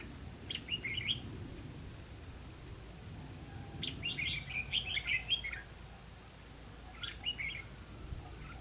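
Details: Red-whiskered bulbul singing during trapping at Hòa Mạc, Hà Nam, Vietnam: three chirpy phrases of rapid, bouncing whistled notes, the middle one longest, separated by pauses of about two seconds, with low background rumble.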